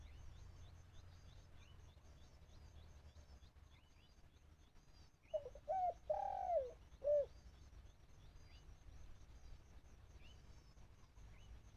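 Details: Decoy dove used for trapping wild birds, cooing once amid a quiet stretch: a few clipped introductory notes lead into a drawn-out mellow coo and a final short coo. Faint distant high chirps and a low rumble are behind it.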